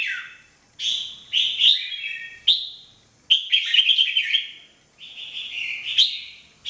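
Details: Jambul, the red-whiskered bulbul, in everyday mebah-style song: loud chirpy whistled bursts that open with a sharp upward note and run into rapid warbling, about five phrases with brief silent gaps.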